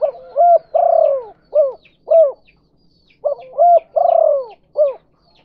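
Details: Lure call of a spotted dove in the "kuk 2" style for attracting other doves: deep hollow coos, a drawn-out falling note flanked by short rising and clipped notes, the phrase repeated twice in quick succession.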